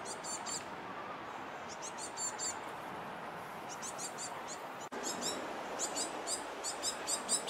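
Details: Great tit fledglings near a bridge chasing their parents and demanding to be fed: bursts of thin, very high, rapid begging notes come in clusters over a steady rushing background, with a brief gap before the calls resume more densely.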